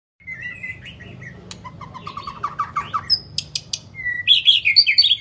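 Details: White-rumped shama singing a long-voiced song used to train and fire up other shamas: a high whistle, then a rising run of quick slurred notes, ending in loud buzzy high phrases over a low background hum.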